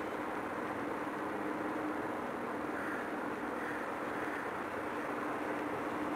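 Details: Constant urban traffic roar and mechanical hum without any animal calls.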